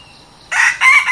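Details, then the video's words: Red junglefowl, a new decoy bird used for luring wild junglefowl, starting a crow: two loud, harsh, broken syllables after a quiet lead-in, the recording cut off mid-call. "ฟังกันยาวๆ พาไก่ต่อใหม่มาลอง!!"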